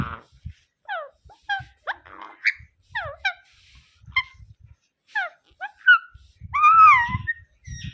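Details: Ringneck parrot giving a run of short, harsh, downward-sliding squawks and chirps, irregularly spaced, ending in a longer wavering screech; quiet background with faint low thumps.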